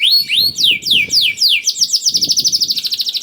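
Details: Canary 'gacor' song used to draw out canaries slow to sing: a few broad sweeping whistled notes, then an accelerating pulsed trill growing faster toward the end.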